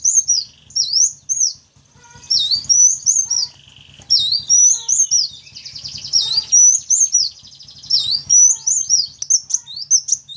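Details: Shrill sunbird notes played as a lure for wild birds: repeated high swooping chirps, some strung into quick runs, with a buzzy trill in places and a steady faint low hum underneath.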